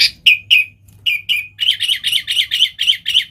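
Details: A sooty-headed bulbul in full 'gacor' voice, used for calling in wild bulbuls: several separate downslurred whistles, then a steady string of about nine rapid, rich, rolling notes.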